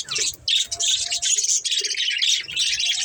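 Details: Budgerigars, a family playing together, give bright, loud chirps and squawky warbles in quick phrases, with brief soft lower notes mixed in.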